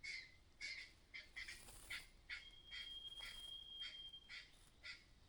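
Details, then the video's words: Mother myna warning of nearby danger with a rapid series of scratchy, clattering notes about two per second, while a long thin steady whistle from another bird runs through the middle. "The mother bird is acting strangely, making a clattering sound—there may be danger nearby."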